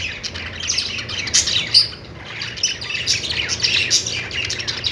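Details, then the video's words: Budgies chirping: dense, overlapping high twittering and warbling notes that rise to a busier burst near the middle, with a low steady hum underneath. "Budgies singing |budgies sounds | parakeet chirping sounds"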